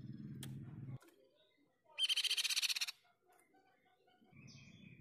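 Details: Pipi perak songbird in an energetic masteran recording. One buzzy, rapidly pulsed trill lasts nearly a second. Low rumbling noise comes before and after it, and faint other notes are scattered around.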